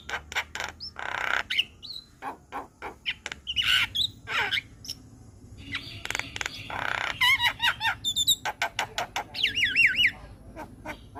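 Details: White-eyed Javan myna in full gacor song on a master track: hoarse squawks and broad rasps lead into a rapid trill and a wavering warbled whistle near the end.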